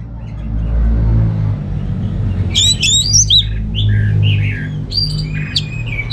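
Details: After a quiet start with only low hum, a caged orange-headed thrush in North Bali breaks into lively song: rapid high chirps, clicks and short sliding whistles repeated in quick succession.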